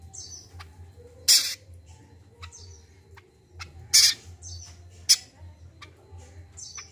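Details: Common iora in an energetic 'kacial kombo gacor' recording played to stimulate newly caught birds; short high whistled notes slurring downward recur among loud harsh rasping bursts a few seconds apart, over a steady low hum.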